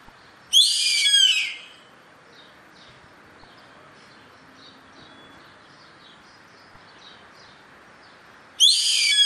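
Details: Yellow-headed caracara calling in nature: two harsh, screeching bursts about a second long and roughly eight seconds apart, with faint chirps of small birds scattered between them.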